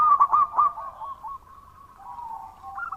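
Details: Loud local zebra dove singing: three strong cooed notes open, followed by softer drawn-out cooing that steps lower, then rises again.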